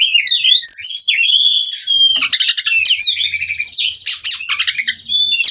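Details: Captive-bred Oriental magpie-robin (kacer) singing nonstop in rolling 'ngerol' style: a rich, varied stream of loud whistled phrases, slurred notes and buzzy trills running without pause.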